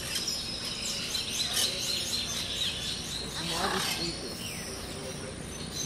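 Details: A pair of Brown-throated Parakeets in the morning at the lodge site of Hato El Cedral, Venezuela, give sharp, scratchy chirps and screechy notes over a busy chorus of other high twittering birds, with faint voices behind.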